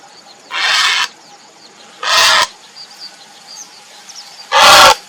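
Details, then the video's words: Three loud, hoarse, rasping calls from a grey heron seeking a mate, each about half a second long and separated by one to two seconds of quiet background hiss. "เสียงนกกระสานวลร้องหาคู่ Grey Heron call"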